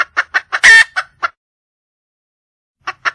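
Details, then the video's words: Red junglefowl hen in the wild calling for a mate: fast clucks around a loud, rasping squawk, then a long silence and two clucks at the end. "le bruit d'une poule sauvage,เสียงไก่ป่าร้องหาถู่หาตัวผู้,ສຽງໄກ່ປ່າຮ້ອງຫາຄູ່ຮັກ, poj qaib qus see"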